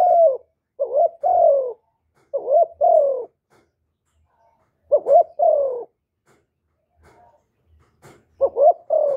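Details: Spotted dove (cu gáy, cu đất), a kept bird recorded for rousing decoy males. Low, hollow coos in short phrases, each a quick rising note followed by a longer falling coo, repeated four times with pauses; a quiet background.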